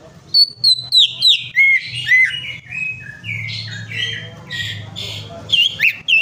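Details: Greater green leafbird prompt song for a stalled singer: rapid sharp whistles stepping downward, then a long sequence of harsh, grating buzzy phrases, closing with twisting bright whistled notes over a low hum.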